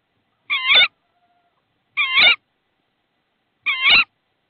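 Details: Tawny owl at a nest in Estonia on 22 March 2016, as prey, a frog, is brought to the nest. Three wavering, harmonic, nasal calls, each under half a second, spaced about two seconds apart, with silence between.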